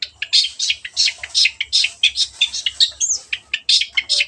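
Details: Lively Long-tailed shrike song used as a lure to coax silent birds: a fast, continuous stream of scratchy, chattering notes, several per second, with a faint low background hum.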